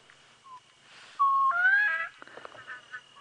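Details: Bronze-winged courser call played by a safari guide during an evening drive, 22 May 2017, South African game reserve: a brief note, then a flat whistle rising into a higher, fuller phrase, over a thin steady tone.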